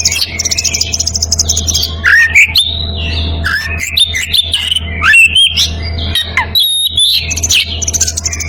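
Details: A breeding-condition Oriental magpie-robin calls a rival with rich, fast varied song: high whistles, slurred rising and falling notes, clicks and scratchy chatter, a steady low hum underneath.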